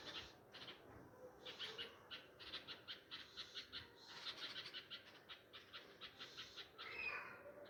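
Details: Nightingales crying for lost chicks beside a nest in a tree near flowering pomegranate plants at a home, after a cat came. A long run of rapid, rasping chirps pulses evenly, ending in a brief higher squeal.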